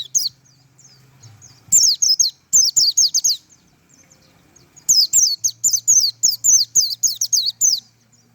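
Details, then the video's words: Rapid-fire tembakan song of a white-eye: short volleys of piercing high slurred notes, the last burst long with about fifteen notes, a steady low hum in the background. "tembakan burung pleci mantap abis"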